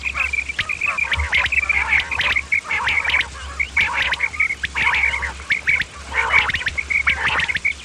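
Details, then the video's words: Common quail calls in quick, repeated, clipped notes, high and liquid, coming in bursts with short pauses; several birds seem to overlap over a faint low hum. The sound is offered for luring quail when hunting. "Batair ki Awaz bima kirak / quail sound effect | batair karik"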